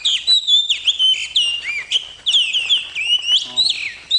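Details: Oriental magpie-robin, known in Indonesia as kacer, giving its melodious song: a rich, nonstop run of clear whistles, quick slurs and short trills, notes rising and falling rapidly, with no other sounds.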